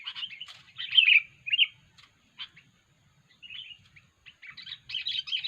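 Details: Sooty-headed bulbul (kutilang) giving unusual calls, recorded for luring the birds: bursts of harsh, chattering notes with a few short whistled phrases, separated by brief pauses, over a faint low hum.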